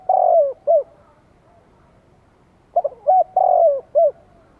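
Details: Spotted dove in Vietnam cooing as a lure for wild doves: a long burred coo ending one phrase, then a full repeat of short coos, a drawn-out rolling coo and a final short note.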